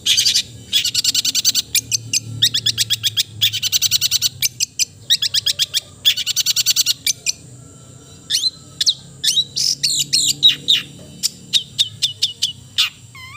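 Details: Long-tailed shrike song, described as melodious: dense bursts of rapid sharp high chirps and harsh notes in quick clusters, then scattered whistled slurs and clicks near the end.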